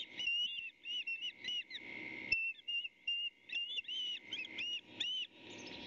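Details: Osprey nest on a May morning at Skidaway Audubon, where a chick and its mother struggle over a delivered fish. Bursts of whistled, slurred chirps in short clusters over a steady electronic hum.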